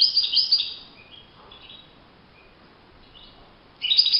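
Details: Wild European goldfinch giving a brief run of high twittering notes at the start, then a quiet stretch with a few soft faint notes, and a fresh bright twitter burst at the very end.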